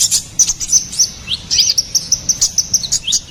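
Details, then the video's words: Ruby-cheeked sunbird, known locally as konin kolibri ninja, in lively gacoran singing used as a master and lure recording for songbirds: rapid high thin chirps and short sweeping notes, repeated about every quarter second, no other clear sounds. "SUARA GACORAN KONIN KOLIBRI NINJA"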